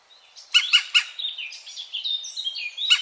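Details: European green woodpecker from Wittlich, 2017: three loud harsh notes in quick succession, followed by a thin, wavering squeaky chatter and one final sharp note.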